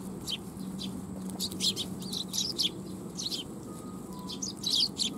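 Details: A flock of Eurasian tree sparrows gathering to be fed at a Tenmangu shrine on 12 July 2021: dense, overlapping high chirps and tweets throughout, with a low hum and general background noise.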